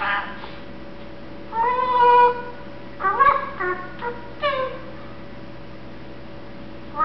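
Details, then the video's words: Sleepy and content, a one-year-old male Eclectus parrot kept indoors mixes a long harmonic whistled tone with gruff mumbled phrases and short rising calls, separated by quiet pauses. "the Mumbling Eclectus Parrot"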